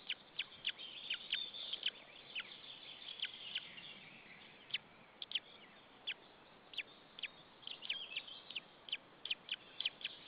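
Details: Young white-tailed eagle left alone in its Estonian nest at Saunja after the parent flew off, 26 April 2013, 16:44; many short, piercing peeps in loose clusters, some rapid runs, others spaced, over constant faint hiss.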